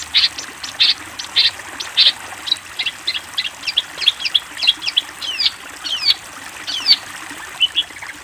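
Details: Long-tailed shrike master song meant for tutoring juvenile birds: rapid, bright high chips repeated almost twice a second, shifting midway into looping, slurred whistles that rise and fall.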